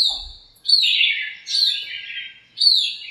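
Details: Birds in a backyard lemon tree on a cool, sunny morning, chirping and squabbling. Three loud downslurred chirps fall from high to mid pitch, spaced roughly a second apart, with short gaps between.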